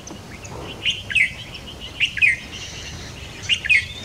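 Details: White-browed fantail flycatcher at a nest on a tree branch, parent feeding a juvenile: sharp high chirps in quick pairs and triplets, three short bursts a second or so apart, over a soft steady background hiss.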